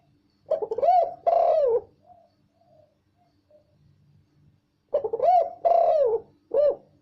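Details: Loud, clear spotted dove cooing: a raspy rising coo followed by a longer sustained coo, then a pause of about three seconds before the phrase repeats with an added short closing coo.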